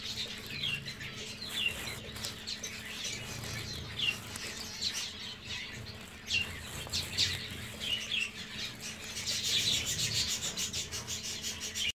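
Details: Common waxbill chicks only a few hours old give thin, high, scratchy squeaks in irregular bursts over a steady low hum and a faint background hiss.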